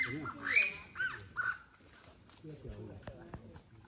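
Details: Taiwan bamboo partridge, endemic to Taiwan's hills below 1,200 m. It gives a quick run of three loud, ringing, arched notes in the first second and a half, followed by low murmured human voices.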